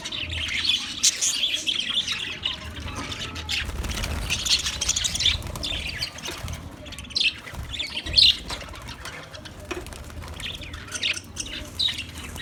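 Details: Singing budgie, 14 March 2024, giving a long, rambling run of chattering chirps and scratchy warbled notes, loudest in the first and middle parts and sparser later, with low steady background hum.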